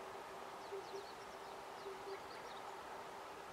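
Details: An Oriental cuckoo in May 2020 gives low, hollow paired hoots, two pairs about a second apart, over a steady low hum, with faint high chirps of small birds.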